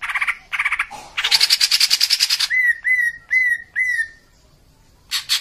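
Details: Greater green leafbird song in the harsh-phrase style used as training audio for captive birds: buzzy rasping bursts, then a run of rapid trilled notes, then four clear whistles near the same pitch, ending in a brief harsh burst.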